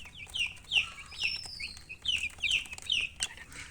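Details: Chicks peep continuously: bright, high, descending chirps come in clustered runs of two or three, and a long thin whistle runs through the middle.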